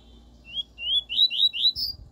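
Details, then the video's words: Double-collared seedeater singing the pure 'tui tui' song style, used for training a young bird: six quick whistled notes, each slurring upward, run close together, with the final note pitched highest. Faint low hum underneath. "COLEIRO TUI TUI PURO ENCARTER PERFEITO PARA SEU COLERINHA..!"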